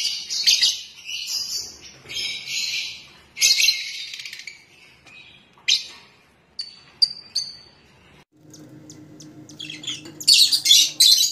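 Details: Colour-mutation Rosellas produce rasping, broadband squawks in several long bursts, then a few short, thin whistled notes, followed by more harsh screeching at the end over a faint hum.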